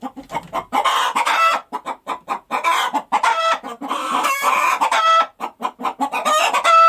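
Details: Hen that has just laid an egg, sputtering rapid clucks with intermittent loud ringing squawks, building in excitement over several seconds.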